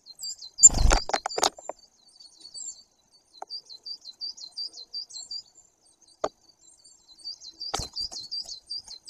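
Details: A great tit at a live white-tailed eagle nest camera in Bory Tucholskie, Poland, on 2 September 2022 seems to address the viewers from behind the glass. It gives thin, high chattering runs, broken by sharp knocks and thumps.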